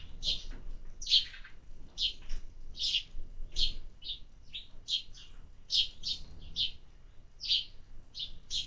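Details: Sparrows given summer food call in brisk, repeated chirps, roughly one every second, each a quick bright note, some in pairs, over low ambient noise.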